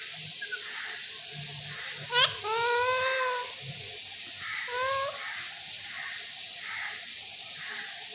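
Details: Captive talking parrot, said in Urdu to be a speaking Raw parrot, producing two harmonic-rich, speech-like utterances with gliding tones around two and four seconds. A person repeatedly says 'mithu' and 'assalam walekum' nearby. A steady background hiss runs throughout.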